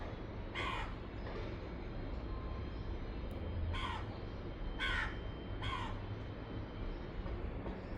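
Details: Lone house crow without a mate that comes every day and chatters constantly, giving four harsh, raspy caws spaced about one to three seconds apart over a heavy, steady low rumble.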